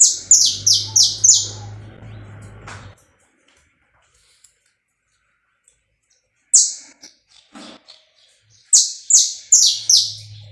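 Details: Live, uncut saffron finch song used to warm up a bird: a rapid burst of high, downward-sweeping notes over a low hum, silence, a short phrase, then another fast run of falling notes.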